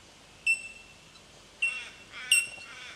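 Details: Bell miner in Victoria, Australia, recorded March 2011: three clear, ringing bell-like tink notes, high and pure, spaced about a second apart, with faint softer chatter between them over a quiet background.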